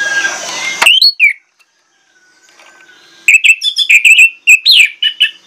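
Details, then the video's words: Orange-headed thrush in full, persistent lure song showing off its mimicked repertoire: a brief burst of notes, a silent gap, then a quick run of sharp chirps and downslurred whistles. "PANCINGAN ANIS MERAH PLONG NGOTOT BONGKAR ISIAN"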